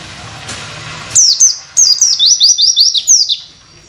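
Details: Oriental white-eye tutor song for training other birds: after a low background rumble, high thin notes start, then a run of quick descending chirps repeated about four times a second.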